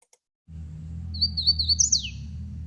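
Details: Hooded warbler (Setophaga citrina) song: a brief, clear phrase of three slurred whistled notes, then a quick rising-and-falling flourish at the end, over a low indoor hum.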